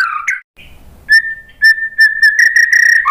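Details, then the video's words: White-rumped shama song for luring other birds to answer: a brief warble, then a steady sustained whistle broken by quick clicks, growing into a harsher stuttering note at the close. "KICAUAN MURAI BATU memancing BUNYI jadi NYAUT GACOR NGEPLONG BONGKAR ISIAN ¦ PANCINGAN MURAI"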